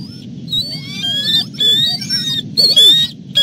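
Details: Bald eagles during an aerial chase near the Two Harbors alternate nest, 25 February 2021, as a female lands to await a food delivery: clear high whistled, slightly wavering calls in bursts, over a steady low rumble.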